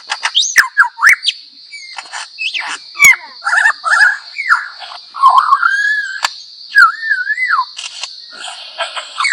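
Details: Lyrebird mimicking other sounds: a rapid, varied run of whistled swoops, falling slurs and sharp clicks, some notes bending up and down, over a steady high-pitched whine that continues throughout.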